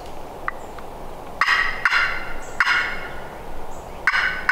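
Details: Wild Turkey gobblers, a pair spotted on public land during a turkey hunt in rain and wind, gobbling in response to hunters' calls: three harsh, rattling bursts about a second apart, each under half a second, over steady wind noise.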